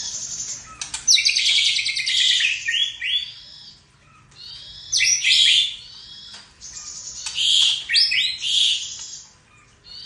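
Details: ['Caged white-rumped shama song filled with cililin, jenggot and kapas tembak imitations. Three loud bursts of harsh, buzzy, rasping notes arrive about every three seconds, separated by quiet gaps.']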